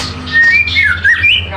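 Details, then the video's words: Magpie robin in energetic song, giving short clear whistles that rise and fall in quick succession, with a man speaking softly behind it. "Suara Burung Murai gacor"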